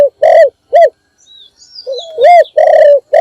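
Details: Morning call of a spotted dove kept as a decoy to draw in other birds: deep mellow coos in quick pairs, a gap with faint high chirps from other birds, then another run of rounded, sustained coos.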